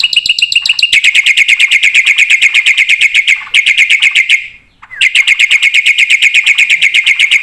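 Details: Black-winged starling in vigorous full-filler song, a tutor recording for other birds: long runs of rapid, evenly spaced ringing chips with a short gap midway.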